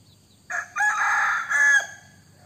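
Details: A white-eared decoy rooster crows once: a harsh opening note, then a long strained middle section and a rising, drawn-out final note, lasting about a second and a half with a quiet background.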